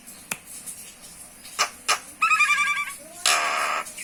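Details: Common myna, Acridotheres tristis tristis, with scattered clicks, then a fast rattling trill and a short rising note, ending in a harsh raspy screech.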